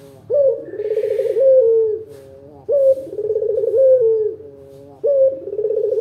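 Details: Vigorous local dove used as a lure for other doves: low, rich cooing phrases opening with an upward note, then a throbbing rolled trill that falls away, about three phrases in steady succession, a faint hiss in the background.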